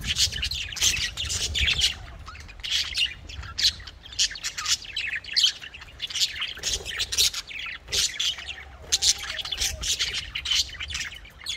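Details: Pet Australian budgerigars chirping and playing energetically, several birds calling over one another with bright, scratchy chirps and warbles.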